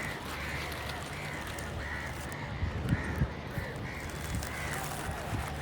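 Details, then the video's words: Quick series of rough, nasal crow caws, several per second, with a few thumps and a low steady drone behind. "Loud Crow Noises, Kak Pakhi Sound, Kauwa Ki Awaaz, Kakkar Dak, Funny Crow Sounds"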